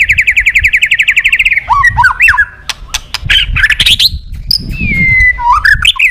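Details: A white-rumped shama in lively song, calling a rival. It opens with a rapid, evenly repeated trill, then shifts into a jumble of swooping whistles and a long descending whistled note.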